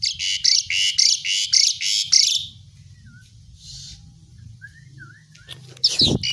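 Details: Asian pied myna producing a rapid series of harsh, scratchy bursts about twice a second, then quieter soft whistled slurs, ending with a loud noisy thump.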